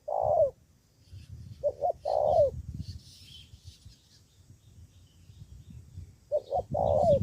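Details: Spotted dove used as a decoy for trapping in Cà Mau, Vietnam, calling against rivals: three hoarse cooing phrases, each a short note then a longer note ending in a falling slur, with low rumbling background noise.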